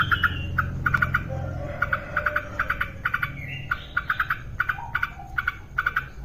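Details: Yellow-vented bulbul, a female singing actively, delivers rapid clusters of short staccato notes at one pitch, with scattered soft whistles and a low background hum.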